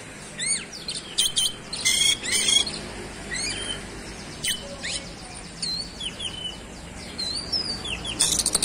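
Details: Oriental magpie-robin singing 'gacor' with 'roll speed' style and 'isian' fill-in phrases: fainter, scattered rising and falling whistles, short buzzy bursts and chirps over a soft hiss.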